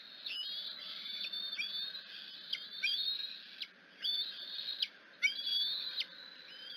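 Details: In the afternoon at the Decorah nest, a hungry young bald eagle gives thin, high squealing chitters in bursts every second or so, with sharp upslurred squeaks, as its mother brings grass and then a fish; faint hiss.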